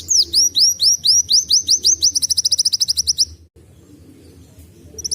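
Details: Canary-like song of Van Hasselt's Sunbird, for training young birds: repeated rising high chips speed up into a fast trill for about three seconds, then stop, leaving only low background hum before a final note.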